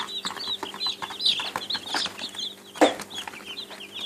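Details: Baby chickens, several chicks, peeping and cheeping, which is how they call when hungry or seeking attention: short high chirps repeating quickly throughout, mixed with soft knocks and a louder broadband thump near the end.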